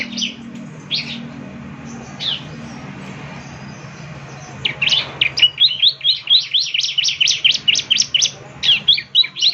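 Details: Ciblek song for morning playback so listening birds join in: a few isolated high chips, a pause, then a fast, steady string of bright, dropping notes with a low background hum.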